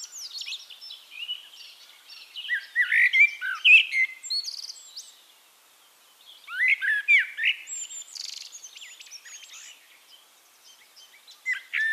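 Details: Singing Eurasian Blackbird (Turdus merula), recorded in Castricum, the Netherlands, delivering repeated verses of mellow, flute-like low whistles tailing into thin, squeaky high twitters, with brief quiet gaps between phrases.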